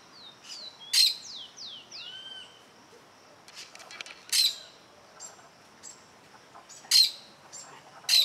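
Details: Plain parakeet watching an observer who is very close to its nest. Four loud, rasping screeches are spaced irregularly, with a series of quick, downslurred whistles and faint chatter from other birds in the background.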